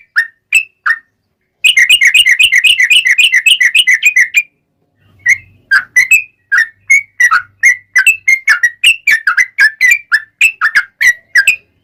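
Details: Yellow-vented bulbul singing as a lure to provoke other birds into song: a fast burst of repeated bubbly whistled notes, then a quicker run of short varied whistles, some rising, some falling; brief low rumble midway.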